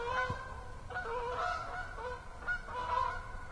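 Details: Geese at Assabet River National Wildlife Refuge on an autumn evening, 10/6/14: a run of nasal, harmonic-rich honks, several overlapping, with brief gaps between bursts over a low, steady background rumble.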